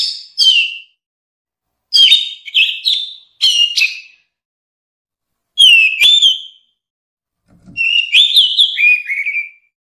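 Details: Orange-headed thrush song, shared as a masteran recording for training caged songbirds: five bursts of bright, varied whistled phrases with quick slurred and trilled notes, each lasting about a second and separated by short silent gaps, against a clean, quiet background.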